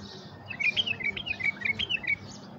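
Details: Tamed bulbul call meant to stir wild bulbuls into coming: a rapid run of about ten clear, bubbly chirps, each slightly falling, delivered evenly over two seconds against faint background hiss.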